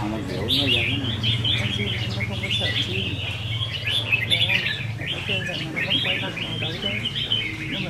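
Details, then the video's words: Caged red-whiskered bulbuls in a singing contest, 15 May 2021: several birds pour out dense, overlapping chirpy warbles and quick whistled phrases, while a man talks steadily beneath and a low hum runs throughout. "Chào Mào Đấu Giàn | Dợt Chim Chào Mào Đấu Hót"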